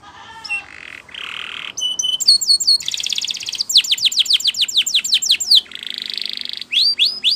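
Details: Spanish Timbrado canary song used for training, mixing short whistles, buzzy trills and a run of rapid descending notes, over faint background noise.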